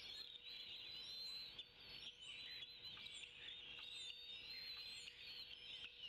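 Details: Bald eagle eaglets, two in a Decorah nest, 25 May 2016, at breakfast time while the adults deliver and tear up a fish; sharp high chirps repeated about once a second over a dense, steady high-pitched hiss.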